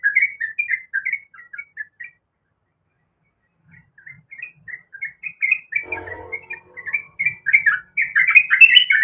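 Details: Calling female sooty-headed bulbul, in heat and summoning the male. Quick bubbly notes come in two bursts separated by a two-second pause, with a brief clatter midway and denser chatter at the close.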